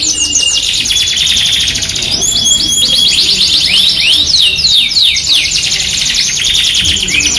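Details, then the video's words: Yorkshire canary singing persistently, in a masteran lure recording meant to prompt other canaries: dense, high rolling trills with fast repeated chips and rapid downward-curving whistled sweeps, about three notes a second, steady and loud throughout. "MASTERAN KENARI 2 IN 1 | KENARI GACOR YORKSHIRE FOI21 VS AF CENGKOK MEWAH | PANCINGAN KENARI AMPUH"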